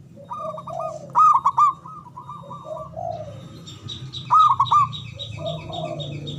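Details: Javanese zebra dove used to rouse mute or reluctant doves into calling. Two loud clusters of quick, bubbling coos with trilled notes are separated by softer cooing phrases and faint chirping in the background.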